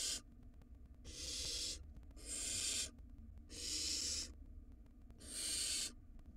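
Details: Wild barn owl nestling in a monitored nest box, swallowing a rodent; five harsh, breathy hissing bursts, each under a second, come roughly once a second over a low background hum.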